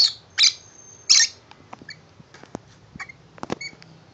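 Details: Pet lovebird, tame male, indoors, delighted by a new shoe box house; two loud high chirps early, then soft scattered ticks and faint squeaks.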